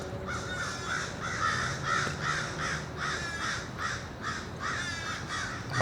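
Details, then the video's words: Two adult American crows and their fledglings on a dumpster, at the season fledglings leave the nest, caw in a rapid, overlapping series, about ten harsh nasal caws in six seconds. The young sound hoarser and croakier, resembling fish crows, as they are still learning. "You can hear some of these crows sound a little bit like fish crows, but actually it's two adult American crows with their fledglings."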